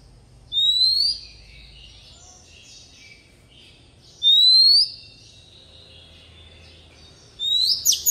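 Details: Decoy Oriental magpie-robin giving its wild-style song for tutoring young birds: three separate clear, rising whistled notes, each slurring upward and spaced roughly three to four seconds apart, the last one with added chips, over near silence.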